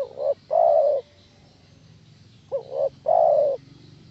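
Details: Spotted dove cooing, used as a lure to get other doves to answer: two paired low hollow coos, a short note followed by a longer drawn one, the pattern repeated after a pause of about a second and a half.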